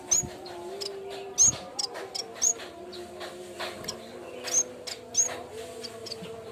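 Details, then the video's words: Cikrak bambu, the yellow-bellied warbler, singing as a training lure: bright, very high clipped chirps in small clusters, uneven spacing, over a faint continuous hum. "BUNYI BURUNG CIKRAK BAMBU"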